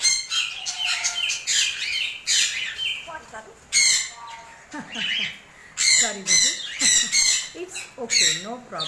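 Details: A pet African grey parrot (Psittacus erithacus), being fed okra while wind blows outside, gives harsh squawks, sharp whistles and speech-like mimicked phrases in quick bursts every second or so.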